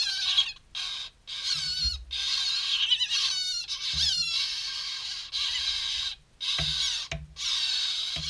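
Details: Two hand-reared chough chicks getting a mid-morning snack: harsh, raspy, broadband squawks in bursts of about half a second to a second, repeated about eight times, with low handling thumps between them.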